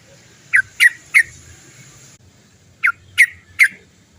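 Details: Sooty-headed bulbul giving its 'cok cok cok' notes, used to lure other bulbuls into singing: two bursts of three sharp, squawky clucks spaced about a third of a second apart, separated by a short pause, with low hum beneath.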